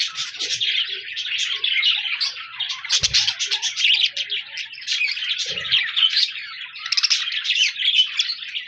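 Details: Budgerigars chattering on 14 January 2024, busy overlapping twitters and whistles broken by a sharp knock around three seconds and a softer thud later.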